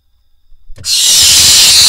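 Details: Barn owl nestlings in a nest box in Israel on 27 June 2021, as the male brings a vole that the smallest nestlings grab. After near silence, a loud, harsh, breathy hiss starts abruptly and holds steady for about a second.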